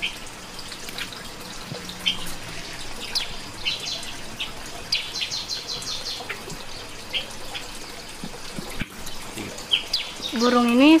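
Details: A bulbul in a mini breeding aviary gives quick, bright chirps and short whistled notes several times a second, ending in a louder rising phrase, with faint dripping water behind.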